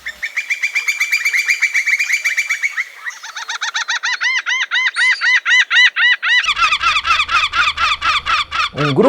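A Laughing Gull's nasal, cackling 'ha-ha-ha' series of arched notes, about four a second, follows a fast run of thinner notes. Low background rumble enters near the end.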